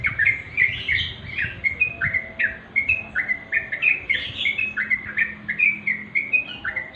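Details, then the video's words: Sooty-headed bulbul, natural sound: dense run of short bubbly chirps around the upper-middle pitch, rising and falling quickly, repeated several times a second with little pause, over a faint low rumble. "remang² trucuk.suara asli"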